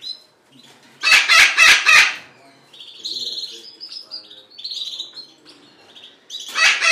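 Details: Baby sun conures, several, at nap time give a run of thin, high, scratchy chirps in quick succession, broken by loud harsh bursts and a woman's voice talking.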